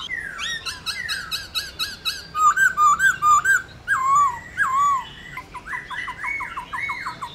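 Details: Caged black-throated laughingthrush singing to encourage other laughingthrushes to sing; varied run of whistled phrases, curling notes in quick series, ending in a rapid descending sequence.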